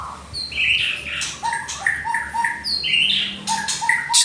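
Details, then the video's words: White-rumped shama from Indonesia singing short whistled notes and higher sweeping phrases, alternating low clear whistles with bright rising bursts, with a steady low hum beneath. "Murai Batu seri F kena tembakan Murai Asli hutan...."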